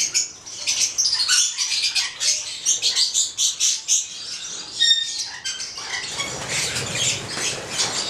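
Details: A pair of Stella's lorikeets (Charmosyna papou goliathina), a red male and a black female, kept in captivity, giving rapid shrill high-pitched squawks and chatters in dense overlapping bursts.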